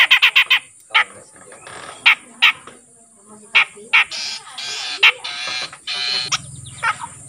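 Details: Grey-cheeked bulbul, a newly caught bird that has started calling regularly, giving loud, harsh, buzzy bursts at uneven intervals, some short and clipped, others drawn out and rasping, over a steady faint hiss.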